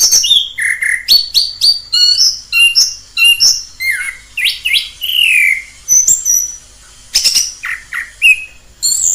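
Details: Orange-headed thrush in the wild delivering a rapid, varied song of sharp chirps, clear whistles and falling slurred notes, phrases following one another with almost no gap, background otherwise quiet.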